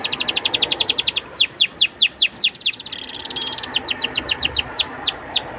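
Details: Atlantic canary, song used to draw young birds into singing: fast repeated piping notes giving way to slower, louder downward-sweeping whistles, a brief soft buzzy roll, then more quick descending notes.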